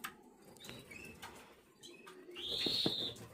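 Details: Black red mosaic jaspe SD canary chick, 11 days old. After quiet rustling, one loud drawn-out whistled call rises and then holds steady, with soft clicks beneath it.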